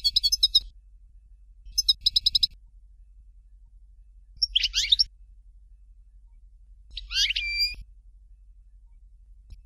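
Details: European goldfinch, Dalya song style called Fort de l'eau: two short bursts of quick ticking notes, then two separate twittered phrases of sliding notes, with silences between them.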